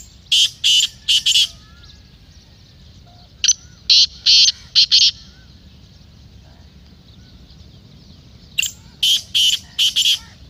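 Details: Black francolin (kala teetar) repeating its harsh call three times, each a burst of four or five rasping, buzzy notes, separated by pauses of a few seconds with soft background bird twitters.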